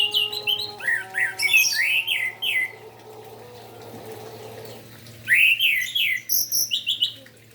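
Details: Orange-headed thrush singing in the morning, meant to stir other orange-headed thrushes into song: loud whistled and warbled phrases, rising slurs and varied trills in two bursts separated by a quiet stretch with low steady hum.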